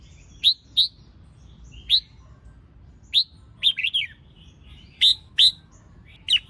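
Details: Female red-whiskered bulbul singing to get males singing: well-spaced sharp chirps, often in pairs, with one brief tumbling warble mid-way.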